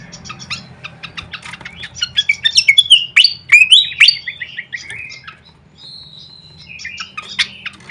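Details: Lure call of a fantail flycatcher: rapid ticking chirps swell into loud, sharp upswept whistles, then fade to a thin level whistle and a few scattered notes.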